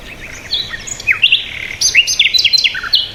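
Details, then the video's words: Lively bird chirping: a run of quick, high, downslurred whistles and twittered notes packed closely together, several notes each second, with little background noise. "Birds Sound | bird chirping sound | Peaceful Bird Sound"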